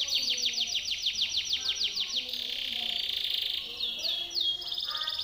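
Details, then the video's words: Timbrado canary in song for training other birds: a quick series of descending sweeps, then a sustained buzzy tone and a few longer falling whistles. "TIMBRADO canary singing - Timbrado canary's most powerful song for training / canary training song"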